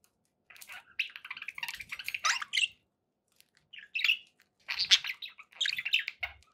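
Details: Kept budgerigars twittering in two groups of phrases: rapid, buzzy chirps and scratchy warbles, with a quiet gap between and a faint low knock at the end.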